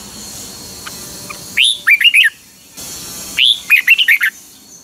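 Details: Red-whiskered bulbul, Pa La-u, Thailand, in doubled song style: two loud phrases about two seconds apart, each an upswept whistle then four or five bubbly descending-rising notes.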